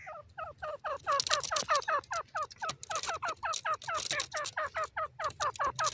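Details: Caged grey francolin giving a loud, sustained run of quick rising double notes, steadily repeated more than twice a second, with dry rattling clicks between phrases.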